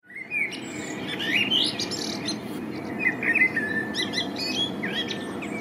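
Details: Male common blackbird singing in spring, recorded on a Panasonic LUMIX DMC-FZ1000: low, mellow fluted phrases that wander up and down, each ending in a thin, squeaky high twitter, with a soft rumbling background.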